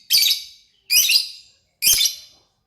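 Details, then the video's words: Lovebird in lively song (gacor), giving three loud, harsh, shrill chirps, each about half a second long and spaced roughly a second apart, with silence between them. "burung Lovebird paling keren dan gacor"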